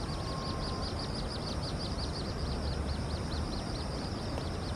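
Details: Little grebe chicks on the Tama River give a steady run of thin, high peeping notes, about four a second, over a heavy rumble of traffic or machinery.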